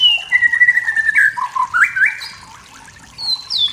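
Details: Wild forest white-rumped shama singing to provoke rivals: long clear whistles sliding downward, then rising and warbled phrases, ending with high thin whistled notes after a brief pause.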